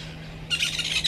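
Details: Woodland kingfisher of a mating pair by a waterhole on Djuma Game Reserve, Sabi Sand, South Africa, at 06:15 in December 2022; a sudden, sharp, high rattling series of notes begins halfway, over a constant low hum.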